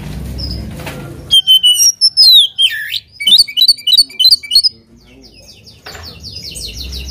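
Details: Oriental magpie-robin singing to provoke a rival: after a second of low background noise, loud rapid whistled phrases with sharp up-and-down slurs and quick repeated notes, then fainter scratchy twitters near the end.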